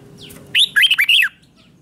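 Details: Red-whiskered bulbul singing a morning training song in a fired-up competition style: a single short, loud phrase of four or five quick, warbled, looping notes, with soft background hum.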